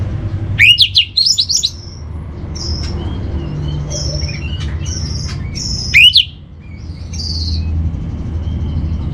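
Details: Song of an orange-headed thrush meant to steady a caged bird's temper and breeding drive: two bursts of rapid sweeping notes about five seconds apart, with scattered high whistles between them.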